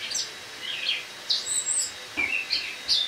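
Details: Eurasian blackcap kept in a cage indoors, autumn morning, 1 October 2017: a few scattered short chirps and thin high whistles with short pauses between them.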